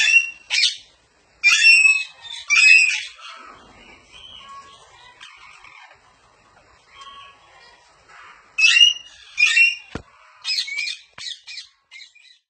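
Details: Parrot calling in loud, harsh, screeching squawks that come in irregular clusters, with quieter chattering notes and short silent gaps between bursts.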